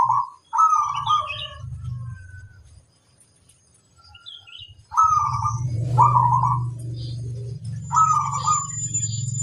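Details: Local zebra dove in vigorous performing song: several short rolling coo phrases, with chirps from other small birds and a low rumbling hum under the later part.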